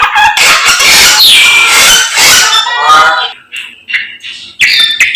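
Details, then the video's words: Samyong singing energetically in the morning: a loud run of harsh, noisy chatter with squeaky notes, then a gap and short bright whistled phrases near the end. "SAMNYONG GACOR Menggemaskan DI PAGI HARI SANGAT MENGGILA MELEGENDA 1001 KICAUAN"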